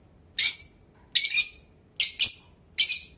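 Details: Blue Fischer's lovebird chirping: four loud, shrill, harsh chirps spaced a little under a second apart, each a short burst with a slightly doubled edge, over a quiet background.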